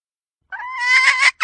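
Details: Hen giving a single drawn, nasal note that swells and roughens over almost a second, then cuts off. A brief start of another note follows. Otherwise quiet.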